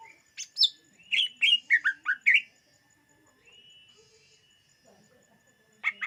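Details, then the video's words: Song of a greater green leafbird, played to lure other birds: a sharp high note, then a rapid series of about eight descending chirped whistles, a pause with faint humming tone, and two closing chirps. "SUARA BURUNG CUCAK IJO UNTUK PEMIKAT DIJAMIN TERPIKAT"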